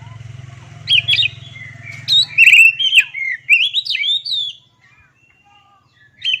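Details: Oriental magpie-robin (kacer) delivering a busy sequence of sharp whistled notes and upward slurs for about four seconds, then falling quiet before one final note; low hum fades early.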